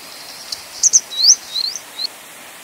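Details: Grey wagtail, Motacilla cinerea, giving a short burst of high, thin, sharp calls: two quick clicks followed by a few rising and falling squeaky notes over about a second, against soft steady background noise.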